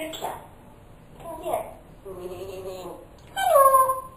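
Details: Pet parrot mimicking human speech while calling for its owner in the morning. Soft, murmured word-like sounds are followed by a loud, clear whistled syllable that glides downward at the end.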